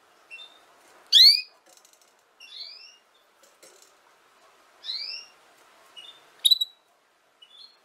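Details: Canary, recorded to help young canaries learn to sing: one loud rising chirp, then scattered softer upslurred whistles and short high notes spread across the following seconds over a faint low hum.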